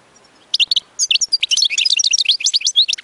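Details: European goldfinch song used for teaching chicks: rapid twittering of bright, high chirps and short buzzy notes starting after half a second, tumbling quickly and continuously to the end.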